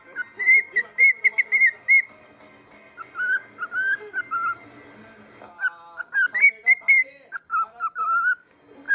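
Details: Whistling pet cockatiel, one-legged after injuring its left foot, repeating clear warbling whistle notes in quick melodic sequences across the whole stretch.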